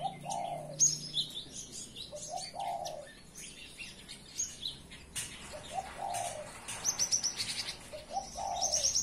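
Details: Cinereous tit singing in the morning. High, thin, sharp notes come in a quick repeated series toward the end. A dove's low, hollow coos recur throughout, mixed with scattered chirps from other birds.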